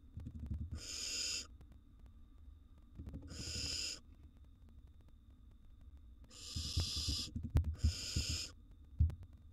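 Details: Nestling barn owl, wild, in a nest box while gulping down a gerbil: four wheezing, snore-like hisses in uneven succession, mixed with low thuds and bumps of movement.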